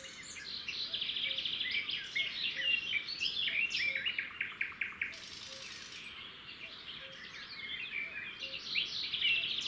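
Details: At a wild roadside nest of red-backed shrikes, the male delivers a grasshopper and the female feeds the chicks; busy high twittering and sharp chirps come in quick runs, briefly broken by a burst of hiss.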